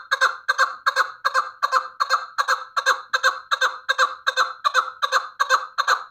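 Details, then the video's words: Hunting chukar partridge giving a rhythmic, throaty chuk-chuk series, evenly spaced at about two and a half notes a second, loud and close throughout. "Кабки шикори"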